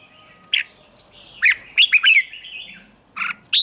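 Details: Red-whiskered bulbul (Pycnonotus jocosus) singing, a recording played to train caged birds to sing, gives quick runs of bright, bubbly whistled notes, some sliding up and down, in short bursts with brief pauses.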